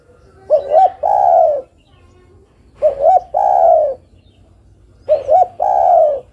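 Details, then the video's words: Spotted dove hen calling to the male, repeating a steady phrase three times about every two seconds. Each phrase has two short rising notes and a long, low, slightly falling coo. "Suara burung derkuku betina memanggil jantan"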